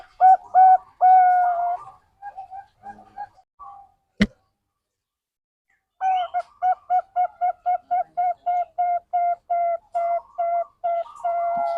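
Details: Lure recording of a Bangkok-type zebra dove meant to prompt other birds to sing: hollow coos in a short burst, scattered softer notes and a loud click, then a long fast run of even, repeated coos to the end.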